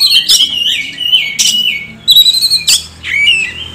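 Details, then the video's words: Oriental magpie-robin song played as a lure to make lazy birds sing: loud whistled phrases broken by harsh raspy bursts, followed by a rapid series of clipped notes and a rising whistle. "SUARA KACER PIKAT |KACER MALAS BUNYI JADI GACOR"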